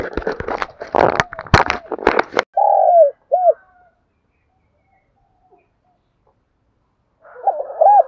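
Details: Spotted dove from Đồng Nai, Vietnam, calling to lure wild doves: loud clattering knocks fill the first two seconds, then a long sliding coo and a short arched coo, and after a pause another coo phrase begins.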